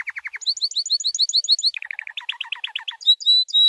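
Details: Training song from a white canary: fast series of descending notes, a bright run of rising chirps, a lower rattling phrase, then clear sustained whistles.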